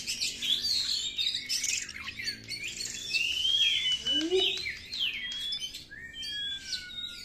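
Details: Oriental magpie-robin singing as a lure to provoke other magpie-robins: rapid, continuous jumble of whistles, chatter and scratchy notes, with a few lower slurred notes midway and a long falling whistle at the end.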